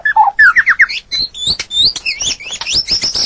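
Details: White-rumped shama singing in nature: a fast tumbling phrase of slurred whistles climbing from low to high, followed by a quick series of thin high chirps and squeaky notes, run almost without pause.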